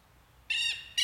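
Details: Southern lapwing, locally called tero, giving a loud harsh nasal call lasting about a quarter second, followed by the start of a second call after a short pause.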